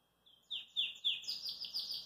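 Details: Belgian canary, relaxed at a kitchen sink, sings a thin whistled note followed by loud descending chirps, then fast repeated rising notes in a lively rhythm.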